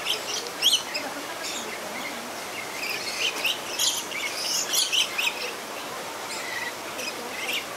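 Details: Lorikeets at Lowry Park Zoo in Tampa, Florida, give shrill, scratchy screeches and chirps in quick, overlapping bursts, several birds calling at once over a soft outdoor hiss.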